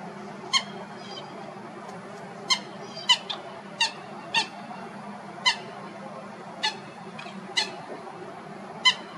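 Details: Common Gallinule in Florida calling with a series of brief, sharp, clicking notes, about a dozen spread irregularly over nine seconds, some in quick pairs, above a low steady hum.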